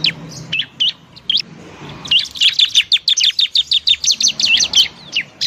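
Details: Bar-winged prinia, a 'semi' variety kept as a cage bird, singing loudly to stimulate birds reluctant to sing: a few sharp chirps, then a fast, dense run of high, bright, repeated notes, roughly three per second.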